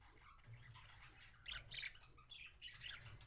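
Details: Parakeet being fed by another parakeet, January 26, 2017. Quiet at first, then from midway a string of loud, grating squawks and scratchy chirps in quick bursts, with a low background hum.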